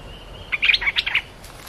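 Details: Cream-vented bulbul song used to train young or silent birds: one short burst of about eight bright, bubbly chirped notes, quickly tumbling up and down, over a quiet background.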